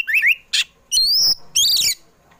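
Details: Afternoon song of an Oriental magpie-robin (kacer poci), played to lure pet birds into singing: loud, varied whistles, with a wavering low phrase, a harsh burst, then a long rising whistle and a rich warbled ending.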